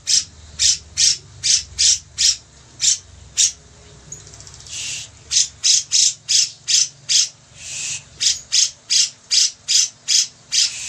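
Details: Grey-cheeked bulbul in full, lively song, recorded as a master track for training other songbirds: a long run of harsh, buzzy squawks repeated about two or three times a second, with a brief pause and a longer rasp midway.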